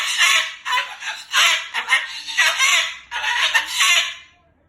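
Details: Angry pet Moluccan cockatoo, upset that its owner stayed overnight, talking and cursing loudly: harsh, raspy word-like bursts in rapid phrases, separated by brief pauses.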